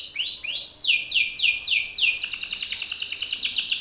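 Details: Male Belgian canary singing hard toward another male, a rival: two rising notes lead into a run of fast descending sweeps, then a dense rapid buzzy trill of repeated high notes.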